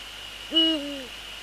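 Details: Single call of a male Eurasian eagle-owl preparing the nest for inspection, 29 January 2014, evening. A loud nasal note swoops up, holds level, then slides gently downward, over a faint steady high whine.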